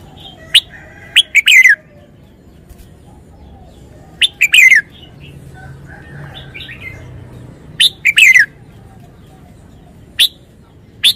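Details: Caged red-whiskered bulbul showing its wild-style 'phleng pa' song: loud, bright, slurred whistled phrases, about a second long, repeated four times with pauses of about three seconds, over faint background chirps.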